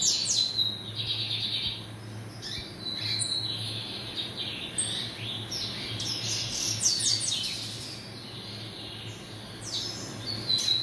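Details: Caged double-collared seedeater from a home breeding aviary singing a long series of high, bright whistled phrases mixed with sharp clicky chirps and buzzy trills, pausing briefly between bursts, over a faint low hum.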